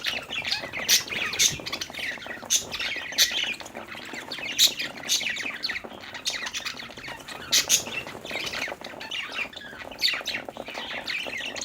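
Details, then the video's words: Budgerigars chirping happily while playing: continuous twittering and harsh squawks from several birds, punctuated by loud sharp clicks at irregular intervals. "budgie chirping sounds|happy budgies playing|cute budgie sound"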